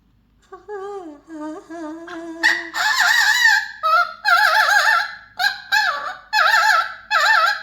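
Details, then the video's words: Singing pet Mealy Amazon parrot: a near-continuous run of melodic, wobbling, harmonic notes, starting lower and steady, then rising into loud, trilling, repeated warbled phrases. "My Mealy Amazon parrot"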